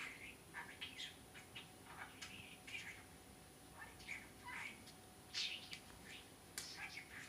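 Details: A budgerigar (named male, praised as a good, clever boy) that is learning more words chatters in quick, scratchy, warbled bursts, mixing squeaky notes into a rambling stream.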